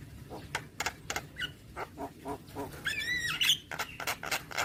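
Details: Nonstop Javan myna song packed with fill notes: rapid dry clicks and short harsh chips, then a longer wavering whistled phrase, followed by more scratchy notes.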